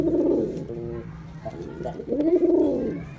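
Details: Male Girabaj pigeon in performance: a throaty coo, a short stuttering low note, then a second full rolling coo that swells and fades.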